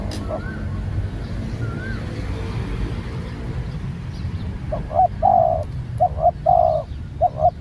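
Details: Spotted dove, a new bird taken out for training, cooing in the second half: short paired low notes, then a longer purring coo, repeated. Steady low rumble throughout, with a few faint higher notes early on.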